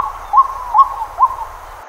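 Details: White-breasted waterhen in Pingtung County, Taiwan, recorded 23 May 2020: three short rising notes, evenly spaced about half a second apart, over a low steady rumble.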